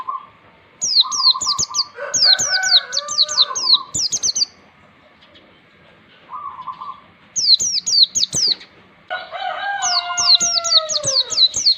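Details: Oriental white-eye song played as a tutor recording for young birds, meant to make them sing freely and often: series of sharp, high down-slurred notes in quick runs, with lower buzzy and harmonic tones between and a second voice near the end.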